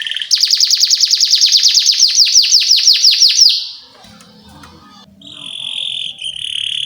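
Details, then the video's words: Canary singing as a lure for young birds learning song: a loud, fast, even trill of sharp downward chirps for about three seconds, a quiet pause, then a sustained high whistled tone. "PANCINGAN Kenari GACOR PANJANG Cuit CUIT EMOSI ini AMPUH utk MASTERAN Kenari PAUD belajar BUNYI"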